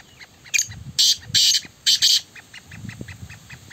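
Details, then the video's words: A Black francolin (kala teetar) calls during a francolin match, giving a harsh, grating call of five quick rasping notes in two bursts, over faint ticking from other small birds. "Kala Teetar Ki awaz"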